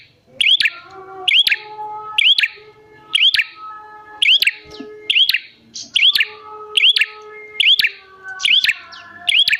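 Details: Lure recording of a bar-winged prinia meant to draw wild prinias into calling. Hooked, upslurred high chirps with crisp ticks come roughly once a second, with faint tonal background lines.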